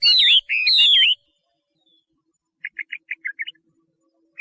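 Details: Chinese hwamei giving two loud, long descending whistled phrases with loops, followed after a pause by a quieter quick run of short chirped notes.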